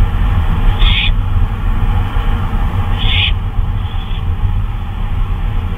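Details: Owl out flying about at 2:39 AM, May 26, 2013: two clear harsh hissing bursts about two seconds apart, followed by a fainter third, over a persistent low rumble.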